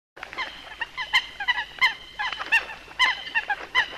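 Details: Coot calling with short, clipped, nasal notes rich in harmonics, given in quick irregular runs of overlapping calls from more than one bird, with a faint background hiss.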